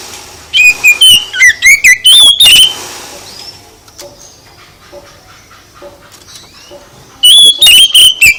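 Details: Oriental magpie-robin song for provoking other birds to answer: a loud series of sharp, varied whistled chips, a quiet pause with faint distant notes, then another loud burst at the end.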